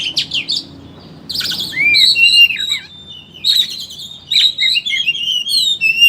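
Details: Oriental magpie-robin, kacer, ngeriwik chattering used to lure birds into song: buzzy chatter, a pause, then a long sequence of sliding whistles and twisting warbles, briefly quiet, then more varied whistled phrases.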